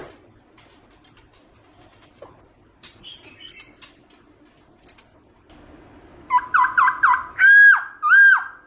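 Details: Black-throated laughingthrush singing in forest style, used to stir pet laughingthrushes into song; faint scattered notes and clicks for several seconds, then loud, rapid, repeated down-slurred whistles with bright overtones at the end.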